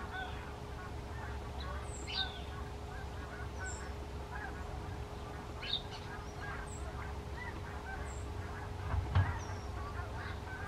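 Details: Flock of Canada geese in formation flight, with repeated nasal honks spread through the stretch, some louder bursts near the end, and a continuous low rumble and steady hum underneath.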